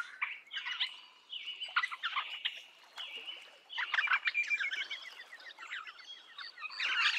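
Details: Eastern rosella in its natural habitat: short clear whistled notes near one pitch, held briefly, then bursts of rapid chattering and twittering notes, with loudness rising toward the end.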